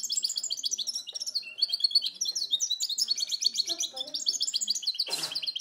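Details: Goldfinch × canary hybrid recorded in 2010, singing a fast, continuous run of high twittering and trilled notes with buzzy phrases and short rattles, and a brief harsh burst near the end.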